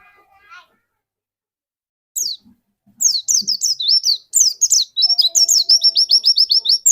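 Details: White-eye lure song aimed at triggering another bird's song: a brief faint note, then a lively, nonstop stream of high twittering whistles building into a fast run of evenly repeated rising notes.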